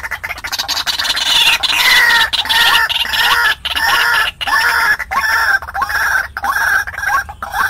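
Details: White-breasted waterhen calling, used to attract wild birds: rhythmic series of short, upward-flicking croaks about every half second, harsh and repetitive, with fuller rasping phrases early on.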